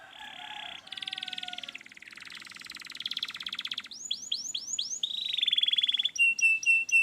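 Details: Canary master song for a reluctant singer: low buzzy tones, a rapid pulsed rattle, a series of sweeping whistles, a steady high trill and short repeated notes, over background hum.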